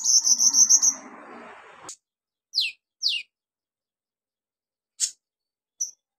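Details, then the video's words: Very vocal olive-backed sunbird used as a lure for birds that have gone quiet: a quick, high pulsing trill over soft low rustling, then scattered sharp, falling, single high notes with long gaps. "KOLIBRI NINJA SUPER GACOR NEMBAK ISIAN BUAT TERAPI PANCINGAN KOLIBRI NINJA MACET BUNYI"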